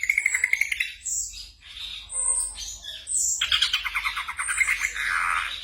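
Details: Night-time training recording of a black drongo for caged birds: a quick pulsed trill, then harsh squawks, high whistles and a buzzy chattering passage, over a steady low hum.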